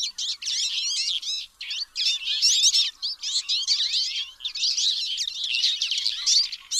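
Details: Twite giving a dense, nearly continuous twittering chatter of quick, high, wavering chirps and trills, broken by a few short pauses.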